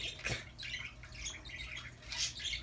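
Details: Pet Amazon parrot that always has something to talk about, making continuous raspy chatter and squawks. An emphatic burst comes near the start and another near the end, with a person speaking around it.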